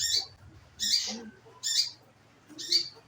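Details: Scarlet minivet, played as a lure to prompt the bird to sing. Four short, high, bright call notes, each about a fifth of a second, come roughly once a second over a quiet background.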